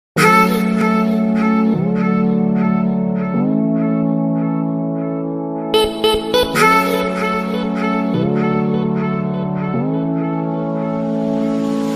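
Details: Steady instrumental music with sustained notes changing about every second and a half; no animal voice is heard.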